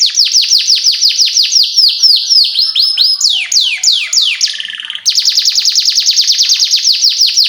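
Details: Canary song used as a lure to train young canaries: long runs of rapid descending whistled chirps repeated about three per second, switching pitch between phrases, with a brief buzzy trill midway.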